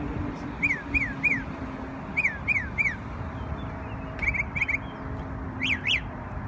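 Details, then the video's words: A New York bird sings on Memorial Day in clear groups of three downslurred whistles, repeated after short pauses, ending with two sharp rising-falling notes; soft low hum underneath. "NY Bird Sings Beautiful Songs on Memorial Day"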